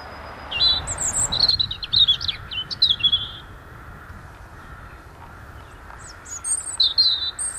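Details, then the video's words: Robin singing in February: thin, high, liquid warbling phrases that rise and fall quickly, broken by short pauses, over a soft background hiss. "Robin singing"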